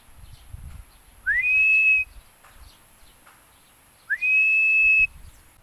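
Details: Young Philippine eagle calling while bonding: two loud whistles about three seconds apart, each sweeping sharply up and then held level for nearly a second, with low rumbling noise between.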